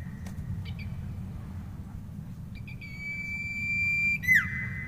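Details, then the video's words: Singing common iora gives short chips, then a long level whistled note held over a second that breaks into a quick falling slur, with steady low background rumble. "SIRPU GRINCINGAN GACOR DAHSYAT BANGET I CITO GACOR MANTAB"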